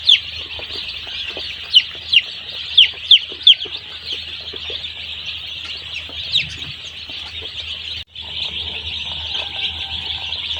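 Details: Day-old chicks at a poultry farm giving a steady mass of high peeps, with a few loud, clear, falling cheeps in the first four seconds, a short break near eight seconds, and a low background hum.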